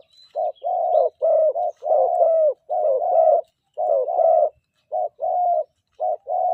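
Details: Morning decoy session for a spotted dove: a dense series of mellow, tremulous coos in short and long pairs, almost continuous, with a thin high whistle at the start.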